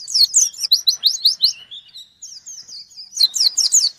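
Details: White-eye singing strongly to challenge a rival: a quick run of piercing high chirps, a drawn-out thin whistled passage, then another loud, rapid chattering burst.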